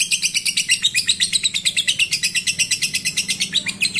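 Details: Lovebird chattering song meant to stimulate breeding, a steady stream of rapid, harsh, high twitters, close to three per second, sustained throughout without a pause.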